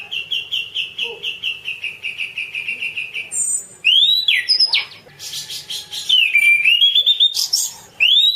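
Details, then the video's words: Orange-banded thrush, masteran recording: a long even series of repeated whistled notes, about three per second, then loud looping slurs, buzzy chatter and rising whistles. "suara kicau burung anis cendana : masteran anis cendana"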